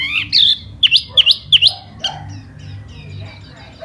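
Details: A spring silver-eared laughingthrush in hót xoè display song gives a clear opening whistle, then four sharp V-shaped whistled notes in quick succession. The notes fade into soft, faint twittering and a low background hum.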